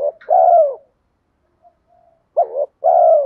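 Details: Spotted dove giving a lure cooing call meant to provoke wild doves: a soft low coo, a pause, then a stuttering two-note coo and a longer falling hollow coo, with faint quiet murmurs between.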